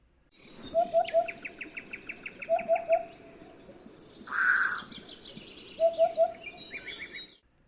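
Eurasian Hoopoe giving soft, low, hollow triple hoots, oop-oop-oop, repeated three times, with other birds chirping and trilling brightly in the background.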